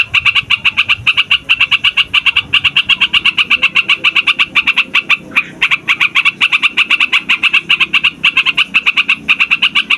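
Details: A trucukan, or yellow-vented bulbul, in a long rolling song meant to draw wild and young birds into singing: a dense run of quick ringing chirps, briefly interrupted midway, then continuing steadily.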